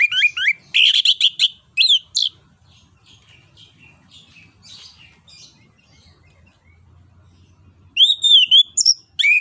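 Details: An orange-headed thrush sings loud, rich, high whistled phrases in quick bursts, then falls quiet before resuming with ringing rising notes; used as a lure song to prompt quiet birds to sing.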